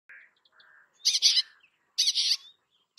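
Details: Bay-backed shrike, a shrike resident in South Asia, singing: harsh buzzy bursts repeated in pairs, mixed with softer warbled and chattering notes between them, in an otherwise quiet setting.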